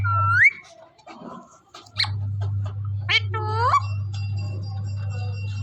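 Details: Indian parrot from Punjab giving a few loud, harsh, screechy calls with a rising bend, separated by gaps, over a steady low electrical hum.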